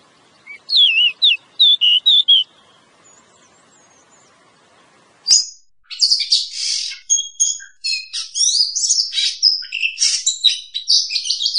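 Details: Oriental magpie-robin (kacer) song used as a lure for trapping birds: a short burst of sharp, varied whistled notes, a pause, then a dense run of bright, buzzy and whistled phrases with quick pitch slides.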